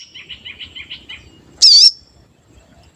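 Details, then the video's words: Sooty-headed bulbul singing as a lure: a soft rapid warbling series of about eight low-pitched notes, then one loud, high, wavering whistle, and the start of another note. "Pancingan Sogon Agar Bunyi dan Emosi, Sogon Bahan Auto Nyaut"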